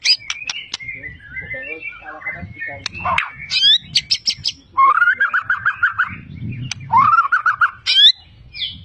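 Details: Champion Medan white-rumped shama singing with mimicry of many kinds of birds: a varied mix of sharp chips, harsh squawky notes, rapid warbled runs and two longer lower rattling phrases, with faint low background noise.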